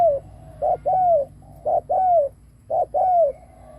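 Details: Decoy spotted dove cooing to attract other doves: a steady series of soft, low two-part coos, a brief note then a drawn-out descending one, three phrases in a row.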